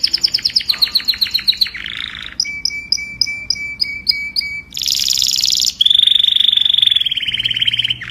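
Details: Canary song meant to call the flock: quick rolling trills, a buzzy burst, evenly repeated paired chirps over a thin whistle, a harsh loud buzz, then a long sweet rolling trill.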